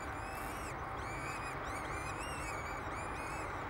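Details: Two peregrine falcon chicks, hatched 10 May 2007 on the tower of Derby Cathedral, England, being fed at the nest give thin, shrill, wavering squeals in quick overlapping bursts, several per second, over a steady roar of wind or traffic.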